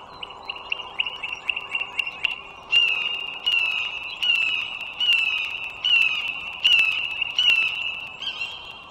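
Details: Wild bald eagle at the nest near a Virginia highway, 21 March 2023, 09:15: fast high chips followed by louder, ringing, slightly falling piercing notes repeated roughly every three-quarters of a second, against a low steady hum.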